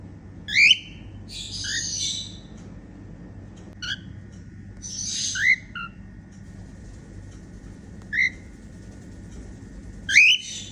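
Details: Cheerful song of a female cockatiel: loud rising whistles at start and end, with scattered short whistle notes and bursts of rough buzzy chatter between, over a low constant hum.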